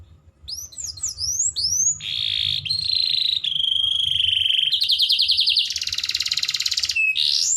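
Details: Canary master song used to tutor young birds: quick high downward-sweeping whistles, then a long steady buzzy tone, a fast rattling trill, a harsh chattering burst and a rising whistle, with a faint low hum beneath.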